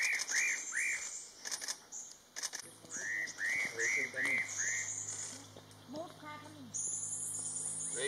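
Spot-breasted parrotbill giving bursts of short, arched chirping notes, several in quick succession, over a low engine hum and a thin high whine.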